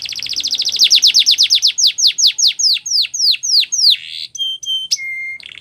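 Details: Canary song for training birds: a fast even trill of descending chips slowing into ringing downslurred notes about three per second, ending with clear flat whistled tones and a short buzz.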